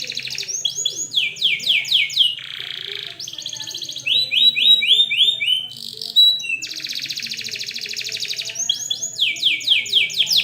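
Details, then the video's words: Canary in full, lively song, used to teach young canaries to sing: long rolling trills, bursts of swooping whistled notes, and buzzy 'cuit cuit' phrases switching rapidly in pitch, loud and continuous throughout. "kenari gacor panjang Cuit Cuit EMOSI, Pancingan Kenari Paud Belajar Bunyi"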